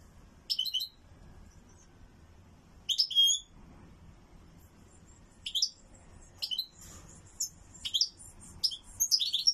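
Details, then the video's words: Owned European goldfinch singing loudly: bursts of high, bright twittering notes in short phrases separated by pauses of one to two seconds, growing busier toward the end, with a faint low background hum. "اسمع مقنين تغريد عالي"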